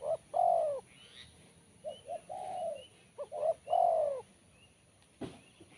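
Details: Spotted dove singing in a crisp, sharp voice. It gives slurred mellow coos, some short and doubled and others long and falling, between brief pauses. Soft chirps from other birds sound behind it.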